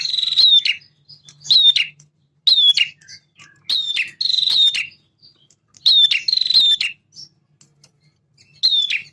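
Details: Male prinia singing eagerly, semi and klawu style mix used to stir caged birds: loud buzzy trills with a falling whistle, about one phrase every two seconds, on an otherwise quiet background.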